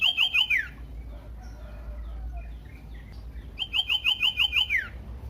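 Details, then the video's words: Common iora song used to provoke other ioras into singing: two bursts of rapid, evenly repeated whistled notes, each ending in a falling slur, separated by a quiet gap with soft faint chirps. "pancingan burung sirtu cipoh AMPUH bikin GACOR dan EMOSI"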